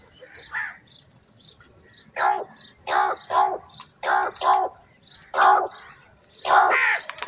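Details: Large group of crows squabbling over food; a series of hoarse caws, several given in quick doubled pairs, spaced about one second apart against a quiet background.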